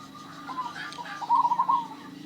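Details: Local zebra dove with an unusual, rare voice gives one loud burst of quick, stuttering coos near the middle, over softer background chirps and murmur.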